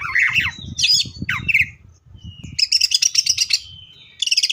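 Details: Loud "full tembakan" singing from a greater green leafbird: scratchy, twisting phrases, a short pause, then a rapid run of evenly spaced high chips and a final buzzy burst.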